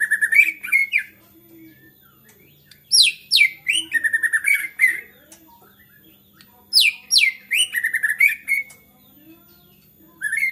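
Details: Excited white-rumped shama, whose song is said to draw other shamas into singing: two long bursts of rapid whistled slurs and buzzy trills with quiet gaps between them.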